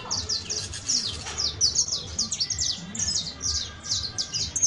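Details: Canario criollo, the saffron finch, delivering fast high chirping song notes in quick clusters, some slurred and descending, with a few softer lower sounds and a low hum behind.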